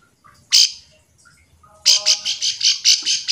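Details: Bar-winged prinia calling to provoke other birds into singing: one harsh buzzy burst, a pause, then a rapid run of about seven raspy high notes repeated several times a second, with a faint low rumble beneath.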